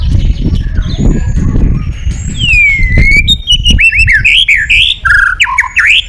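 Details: White-rumped shama, calling a rival: after a stretch of low rumbling noise, a long falling whistle leads into quick varied whistled notes that rise and drop.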